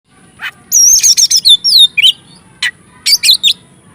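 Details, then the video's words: Oriental magpie-robin (kacer) singing actively, a song used to provoke and excite other magpie-robins: a few sharp buzzy notes, then a loud rapid burst of high whistled slurs and downward sweeps, followed by scattered chirps. "Burung Kacer Gacor Ngobra,PANCINGAN Efektif menaikkan emosi kacer"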